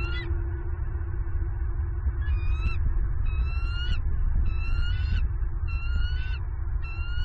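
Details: At a Southwest Florida nest in late November 2022, a female bald eagle screams to claim food brought by the male. A series of thin rising whistles and chattering screams follows about every 0.8 seconds over a low steady hum and wind.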